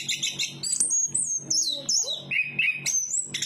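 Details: Chestnut-capped thrush in full song: sliding whistles, sharp high chirps and rolling warbled notes in rapid succession, with a constant low hum underneath.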